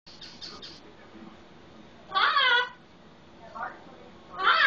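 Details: Solomon Island eclectus parrot, a pet, talking and imitating a household red-lored amazon: two loud harsh squawky phrases with bending harmonics around two seconds and at the end, softer chatter between, faint rapid clicks at the start.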